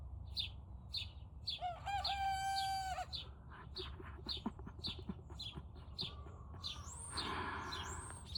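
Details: {'caption': 'An inexperienced Turken chicken tries its crow around 5 am: a high, reedy, drawn-out note of about 1.5 seconds, followed by soft clucks and a later squealing cry, with rapid high chirps throughout.'}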